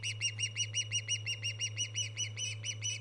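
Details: Ospreys on a live nest camera, 24 August 2014, give an even, fast string of piercing whistled chirps, about five per second, each note slightly arched, with a constant low hum underneath.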